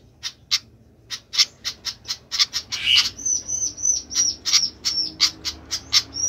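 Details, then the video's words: Sikatan flycatcher ticking noisily, the dry chips soon joined by a thin, high, steady whistled tone that repeats between the clicks. "ADA APA DENGAN BURUNG SIKATAN INI KOK RIBUT"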